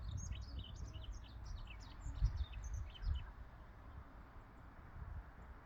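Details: Yellow-throated bunting singing a fast, high twittering phrase of sliding, chirpy notes lasting about three seconds, then stopping, over a steady low rumble of background noise.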